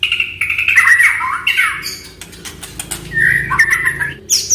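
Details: Oriental magpie-robin singing, used as a prompt for a silent pet bird: long warbling whistles with rough squawky edges, broken by clicks, then a further warbled phrase and a high final note.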